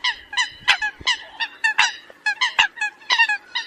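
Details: Eurasian coot calling the flock: loud, nasal, harmonic honks repeated in quick irregular bursts, roughly three per second, with short gaps between groups and a quiet background.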